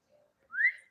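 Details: Pet talking parrot giving a single rising whistle that sweeps upward and holds briefly, preceded by a faint low note.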